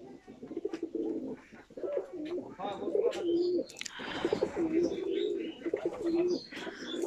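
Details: High flyer pigeons kept by a mason in their loft, cooing in low, repeated, rolling phrases with short gaps between them, alongside wing flutters and faint voices.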